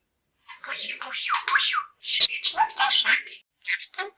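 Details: A pet talking budgerigar from Poland, competing in a talking-bird championship, chatters in a high, raspy voice, mimicking Polish phrases like greetings and "I'm a pretty bird" in quick phrases.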